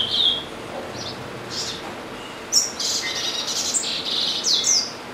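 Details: Caged double-collared seedeater at home, singing constantly through the day; scattered high chips early, then a dense, rapid series of bright twittering and buzzy notes from the midpoint onward.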